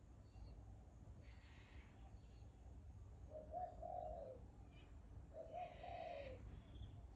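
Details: Low, soft cooing phrases from a bird, two of them in the second half, with faint higher chirps from other birds earlier and steady low background hum.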